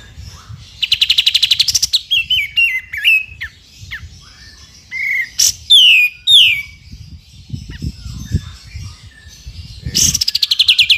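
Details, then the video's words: Sooty-headed bulbul delivering full ngepik besetan song for shama training: a fast buzzy trill, stepped falling whistles, a sharp click, then loud descending slurred notes and a final rapid trill, with faint low background rumble. "KAPAS TEMBAK GACOR FULL NGEPIK BESET"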